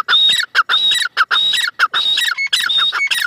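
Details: Female francolin calling in quick harsh bursts, each mixing a squawking chatter with a clear high whistled note, repeated about every half second without pause.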